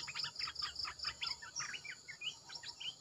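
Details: Red-eyed bulbul decoy calling: a busy run of short whistled and slurred notes, some rising, others falling, repeated quickly with high thin accents above, against a faint steady background hiss.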